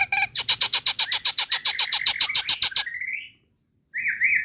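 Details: Female Nias hill myna calling to a male: a fast run of about twenty rhythmic chattering notes over three seconds, ending in a rising whistle, a pause, then a wavering whistled note.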